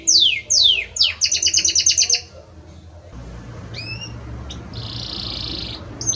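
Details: Male Belgian canary serenading a female: two downward-sweeping whistles, a rapid chopped trill, a pause with faint background hiss, then paired short notes and a smooth buzzy trill.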